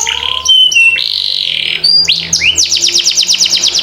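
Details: Canary singing for training young birds: a held buzzy tone and brief high pips, then looping whistles and a fast series of repeated rolling notes.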